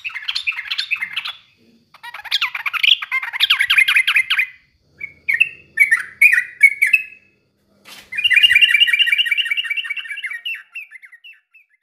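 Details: Yellow-vented bulbul song meant to stir other birds into singing: several bursts of chattering, bubbling notes with short pauses, then a long rapid run of liquid chirps trailing off into single notes.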